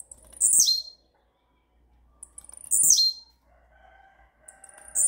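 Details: Blue-black grassquit giving the rare campainha-style song: short, sharp buzzy phrases sliding steeply downward, repeated about every two seconds, with soft faint tones in the background.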